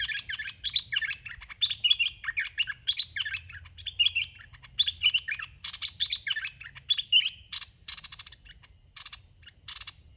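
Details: Red-whiskered bulbul kept as a caged decoy, dok taeng style, repeating short melodious warbled phrases roughly every second, ending with several scratchy rattling bursts.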